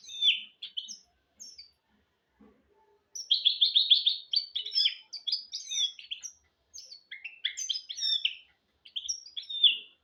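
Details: Hybrid goldfinch-canary mule song meant for teaching goldfinches and canaries to sing: a few sharp chirps, then a dense rolling trill followed by quick varied twitters and high whistled notes.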